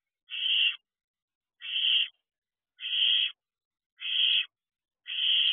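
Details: Barn owl owlets outside the owl box at 3 am; five loud, evenly spaced rasping screech-hisses about once every 1.2 seconds, clean with no other sounds.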